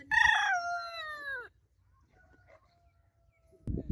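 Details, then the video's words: A single loud rooster crow, harmonic and sliding downward over about one and a half seconds, then near silence with a faint thin tone and a low thump. "Roosters Crowing Sound Effects Roosters Crowing Compilation"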